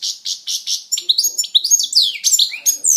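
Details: Pet European goldfinch singing: a few evenly spaced buzzy chirps open into a rapid jumble of high tinkling, sliding twitters and trills.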